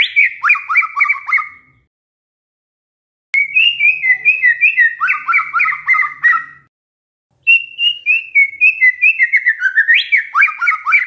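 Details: White-rumped shama singing canary-like song in three bursts of rapid, chattering mid-pitched trills with repeated slurred notes and brief gaps between them.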